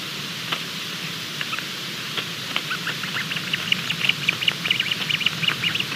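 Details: A Bermuda petrel (cahow) chick mid-hatch at 23:14 on 28 February 2020 gives faint, high, clipped peeps that grow quicker and louder toward the end, over a low steady rumble.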